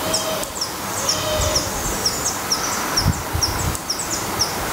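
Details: Black redstart nest in Portugal: quick series of very high, downward-sliding chip notes in an even rhythm, about three per second, with soft low thumps and rustling beneath.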